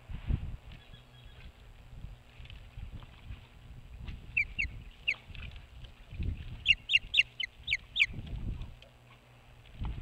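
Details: Osprey at a nest on a Maine boat house facing Hog Island, giving a few scattered high chirps that build into a rapid burst of piercing, slurred whistles, with low wind or water rumble throughout.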